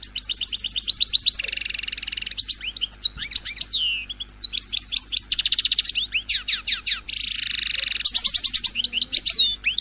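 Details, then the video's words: European goldfinch singing to stimulate other birds: long rapid sequences of sharp descending notes alternating with buzzy, rattling trills and bright liquid twitters, densely packed and varied. "تغريد الحسون الملكي 🔥🔥🔥🔥 لتهييج"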